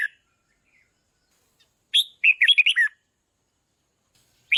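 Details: Red-whiskered bulbul singing to excite decoy birds: after a soft note, one lively phrase of rapid, liquid, up-and-down whistles lasting about a second, then a new phrase beginning at the end. The background is quiet.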